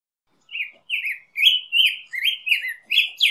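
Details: Black-headed grosbeak singing: a run of sweet, rich whistled phrases rising and falling in quick succession, each slurred note flowing into the next, with no other sounds around.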